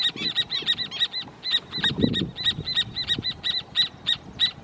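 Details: A pair of Rufous Horneros marking territory in the Amarras del Gualeguaychú protected natural area, possibly before nesting: a fast run of loud, ringing, high notes, about three per second, over faint rustle and low noise.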